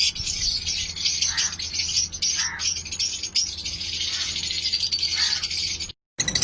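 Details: Breeding colony of lovebirds producing a dense, steady high chatter of overlapping squeaks, a few lower rasping notes, and a constant low hum, ending in a brief silent break.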